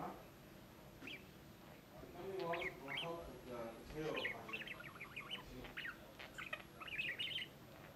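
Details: Blueberry, an 18-month-old male budgerigar, keeps up a fast, scratchy warble of chirps and clicks at 22-month-old Mango on their curious first meeting, with a cage between them, while a woman talks softly over it.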